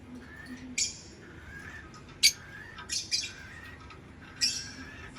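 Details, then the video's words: Lovebird calls: scattered short, harsh, high squawky chirps with long quiet gaps, a faint low hum beneath. "Lovebird Chirping Sounds"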